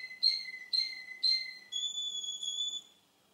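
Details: Male Russian canary: three evenly spaced whistled notes about half a second apart, followed by one long sustained pure whistle on a higher pitch.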